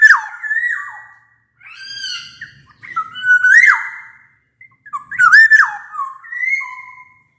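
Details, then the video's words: A black-naped oriole delivers a rich, continuous run of fluted whistles and squawky notes, swooping down and up in several phrases; the recording is meant to prompt other orioles to sing. "Burung kepodang emas gacor | Suara kepodang gacor ini bisa di jadikan pancingan kepodang malas bunyi"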